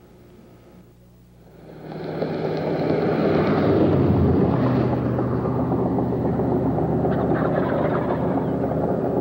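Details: A quiet outdoor rumble swells after two seconds into a loud, steady engine or aircraft roar that continues to the end, with no animal calls heard.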